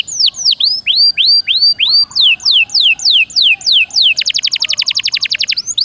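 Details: Caged-bird prompting song of a canary (Serinus canaria): a run of down-curving whistled sweeps repeated about three per second, then a rapid even rattling trill at the end.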